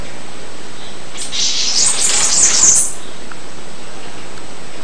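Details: Bananaquit singing a single high, thin, hissing trill of about a second and a half, rapid sibilant notes packed tightly together, with a quiet background and no other birds.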